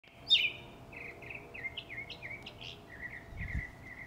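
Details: Robin singing in a backyard: a rapid run of short, slurred whistled phrases, each dipping and rising, strung together with barely a pause over a low background hum.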